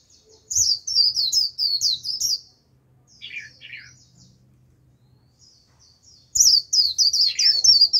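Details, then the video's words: A lure Japanese white-eye calling in wild birds of its kind: bursts of fast, very high twittering chirps, a quiet pause with two lower falling notes and soft chatter, then a loud twitter returns. "Vành khuyên mồi gọi bổi cực tốt, bổi đến cả đàn, bật líu theo."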